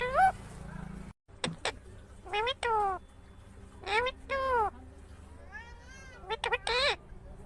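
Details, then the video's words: Rose-ringed parakeet, a green ringneck parrot, talking in a string of short speech-like words with sweeping, bent pitch contours, spaced by brief pauses, over a faint low background hum. "Natural Sound of Talking Ringneck green parrot"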